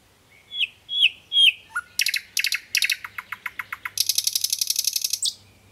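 A nightingale's varied song: three slurred whistles, then a low note, then rapid clicking and buzzy trilled phrases ending in a fast rattle.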